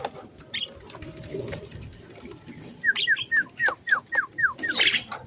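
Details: Caged Javan myna after bathing and sunning, given crickets for tameness: quiet rustling at first, then a quick series of about eight sharp, downward-slurred whistles at a steady pace.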